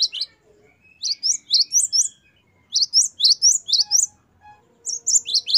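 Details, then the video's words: Great tit (gelatik batu) singing wucit variasi as tutor material for captive birds: short bursts of four to five high, downward-swept paired notes separated by pauses, with a faint lower tone in the background. "Gelatik batu gacor wucit variasi. Great tit. Singing birds."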